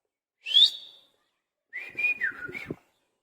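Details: Parrot in a cage mimicking a cat's voice, two bursts: a sharp upward-slurred whistle that fades, then after a pause a wavering whistle that dips and steps downward, with faint clicks.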